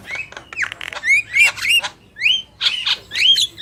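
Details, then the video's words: Black-winged mynas, male and female, trade clear upslurred whistles with harsh buzzy squawks, about two notes a second, each whistle curving upward and mixed with rasping chatter. "Jalak Kebo Gacor | Burung Jantan dan Betina"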